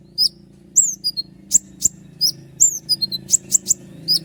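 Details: Common iora in full song, long roll of sharp 'shots' meant to tutor other songbirds: quick, tightly spaced very high downslurred whistles and sharp clicks, with a steady low hum in the background.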